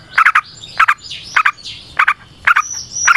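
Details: Yellow-vented bulbul singing in the energetic 'ropel panjang' style, played as a lure to set other bulbuls singing: bursts of two or three short, harsh chattering notes about every half second, with softer rising and sliding notes between them.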